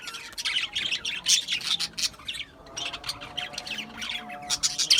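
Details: A flock of Australian budgies gives dense, scratchy chirping and squawky chatter, loud and continuous with brief pauses, harsh notes overlapping throughout.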